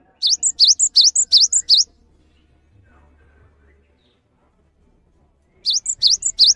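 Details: Cinereous tit in full song, used as a tutor bird for training others: a rapid burst of paired notes, each a sharp V-shaped sweep followed by a high whistled pip. After a long pause the phrase starts again.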